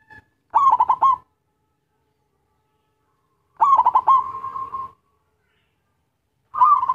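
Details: Lure song of a lively local zebra dove: brief clusters of quick, hiccuping coos separated by silences of about two and a half seconds. One phrase stretches into a softer, even trill.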